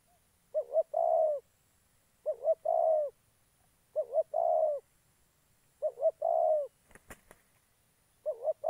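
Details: Trapping decoy spotted dove from Gia Lai, Vietnam, repeating a two-note wavering lead-in and drawn-out low coo five times, each phrase roughly two seconds apart, with a brief sharp knock between the fourth and fifth.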